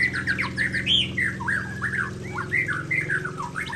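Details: White-rumped shama, Murai Aceh type, in lively song beside a waterfall: rapid sequence of short whistled and looping slurred notes, some bending down sharply, above continuous low rushing water noise.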